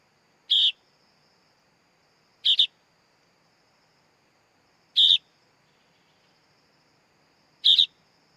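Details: Young sooty-headed bulbul repeating short harsh double chirps roughly every two and a half seconds, four times, over a faint high hum.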